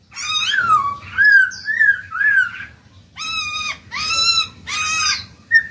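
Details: Black-throated laughingthrush kept as a pet, singing to stir newly caught birds into song: a rolling series of mellow, wavering whistles, then three loud, bright arched notes and a short high note.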